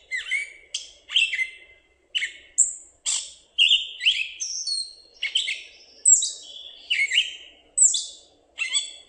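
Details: Gray catbird heard on playback: a herky-jerky, varied run of short chattering, squeaky and slurred phrases, roughly twenty-four per minute, each separated by brief gaps, against a quiet background.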